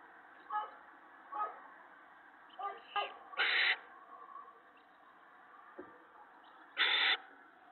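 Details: At the nest on the evening of March 19, 2017, an owl delivers food to its mate and owlets; faint rustles and soft sounds, then two loud harsh screeching hisses roughly three seconds apart.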